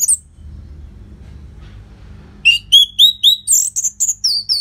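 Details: Orange-headed thrush song recorded in Bali, Indonesia as a prompt for caged birds: a series of rising whistled notes repeated about four per second, ending in higher slurred phrases.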